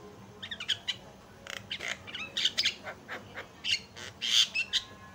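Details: Javan myna lure song for prompting other mynas to sing, a dense run of raspy, buzzy chatter bursts and scratchy notes delivered in quick, uneven succession.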